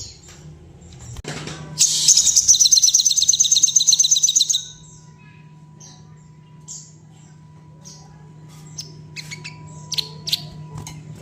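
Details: Sooty-headed bulbul in breeding condition, a sound said to make other bulbuls quiver their wings and fluff up; after a soft start, a fast, high, buzzy chattering trill runs for about three seconds, then sparse faint chirps and a steady low hum.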